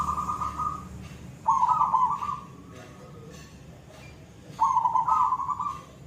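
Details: Actively singing silver zebra dove, koong voice: rolling, bubbling cooing phrases repeated about every three seconds, each starting with a sharp onset and ending in a steadier drawn note.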